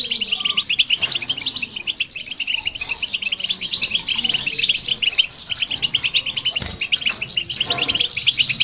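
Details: Goldfinch singing alongside a hybrid, a recording meant to provoke other birds: fast, unbroken chatter of liquid twitters and buzzy trills, high-pitched and busy from start to finish.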